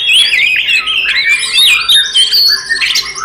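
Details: Oriental magpie-robin fighting song used as a provocation for other magpie-robins: continuous, fluid, high whistled warbling with sweeping slides and some harsher rasping notes.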